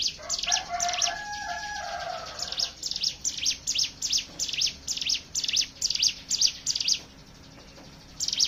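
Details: Lure song of a Hill prinia: high, sharp chips repeat roughly twice a second. Lower drawn-out whistles from another bird overlap the first few seconds, and the singing stops briefly near the end.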